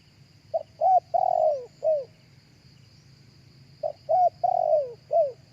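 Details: A spotted dove coos live, recorded to lure other doves via speaker: two matching phrases, a short soft note, a clipped coo, a long purring note falling in pitch, then a final downslurred coo, with a high steady hum.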